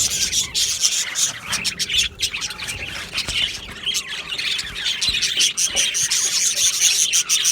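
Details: Budgie colony in an aviary, 22 June 2025, chirping and singing together: overlapping raspy chatter and quick squeaks, with a thin, high repeated whistle standing out near the end.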